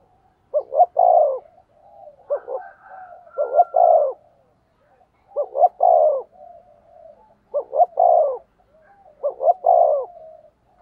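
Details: Spotted dove decoy repeating its cooing about every two seconds to attract wild doves. Five phrases, each two short hoots and a longer descending coo, with soft extra notes between them.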